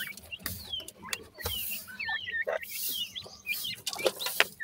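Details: Grey francolin chicks, hatchlings growing toward independence, give thin high chirps, many short curved notes sliding down, overlapping quickly, with scattered clicks and rustling noise underneath.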